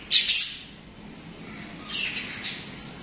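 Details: A sharp double chirp from pet budgerigars opens, followed by softer, more distant chattering notes around two seconds in.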